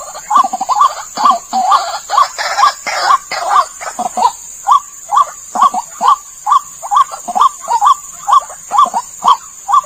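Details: White-breasted waterhen call for luring the bird: around twenty rasping, rising notes at a steady two-per-second beat over ten seconds, a burst of broad hiss near the middle, and a continuous high whine.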